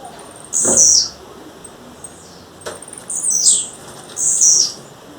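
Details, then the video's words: Female blue-black grassquit calling in the wild: three short, very high buzzy bursts with a downward sweep, spaced about a second and a half apart, over a faint steady hiss. "Tiziu fêmea, fêmea de tiziu chamando na natureza"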